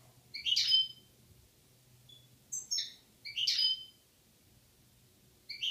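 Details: In Algeria in 2016, a European goldfinch pair gives short high twittering bursts, four in under six seconds, some sharp and metallic, with a faint low hum underneath.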